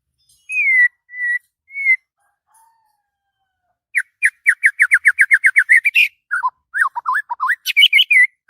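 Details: White-rumped shama singing in the morning, excited: a few clear whistled notes, then a fast run of about twenty sharp repeated chips and varied rising and falling whistled phrases.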